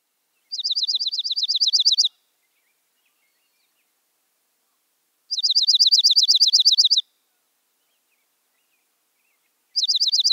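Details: Dark-eyed junco chattering: repeated high trills of fast, down-slurred chips, each burst about 1.5 seconds long and recurring roughly every four seconds, three bursts in near silence.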